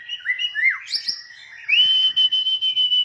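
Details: Oriental magpie-robin song recorded while training a young bird: short slurred whistles, a high squeaky phrase, then a long, level, sustained whistle that wavers slightly to the end.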